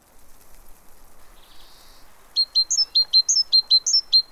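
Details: Great tit at a fat ball feeder in Pellerey, France, on 3 March 2017; after a faint quiet start, it gives a run of high, bright two-note phrases repeated evenly, about ten notes in two seconds.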